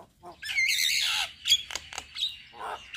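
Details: Javan myna in active song with head-bobbing: a long harsh rasping phrase, then a sharp whistle and a few scratchy clicks.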